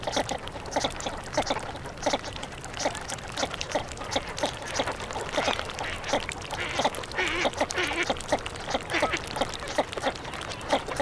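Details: Northern shovelers calling together in a dense, continuous chorus of nasal quacking and clucking notes over steady background noise.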